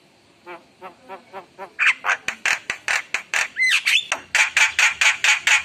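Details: Javan myna singing actively, full of rich fill notes: soft wavering nasal notes about twice a second, then loud harsh squawks repeated rapidly with a brief rising whistle in the middle.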